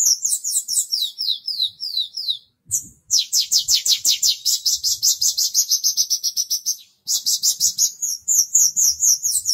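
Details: Caged Horsfield's bush lark in full, loud, persistent song, offered as a tutor recording for other birds: rapid high trills and sweeping whistled phrases run almost without pause, broken by two short gaps.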